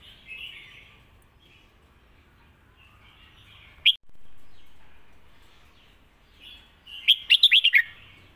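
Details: Red-whiskered bulbul giving a 'Lak Wai' style song: a single sharp note near the middle, then a fast run of about six bright whistled notes near the end, with soft chatter from other birds in between.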